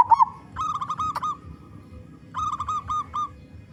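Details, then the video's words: Local zebra dove singing loudly as a lure for others of its kind: a brief rolling coo at the start, then two runs of quick, clipped cooing notes, soft background hum. "Perkutut Lokal Gacor Suara Besar"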